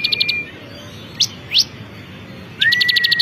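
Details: Ciblek kristal, a champion bar-winged prinia, singing. A short rattle of high chips opens, then two separate rising sweeps, then a steady whistle carrying a fast run of ticking notes.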